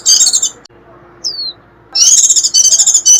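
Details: High, squeaky chatter from a white-eye, used to attract wild birds. A burst, a long quiet gap with one thin descending whistle, then another sustained run of rapid twittering notes.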